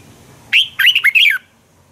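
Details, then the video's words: Morning fighting song of a red-whiskered bulbul, meant to stimulate birds to sing: a single bright phrase of four or five liquid, looping warbled notes after a quiet start. "Luyện chào mào hót sáng hay Dùng để thúc bổi căng hót, ép giọng rất hay, chào mào hót đấu"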